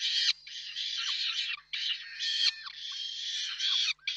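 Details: Peregrine falcons at their Reda, Poland nest on 4 May 2023 while the father brings prey and the mother feeds; continuous harsh, scratchy wailing broken into uneven bursts.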